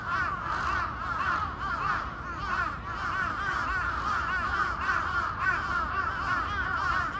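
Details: A large flock of crows suddenly raising a racket outdoors: a dense, continuous wall of overlapping harsh caws with no pauses, steady in loudness throughout.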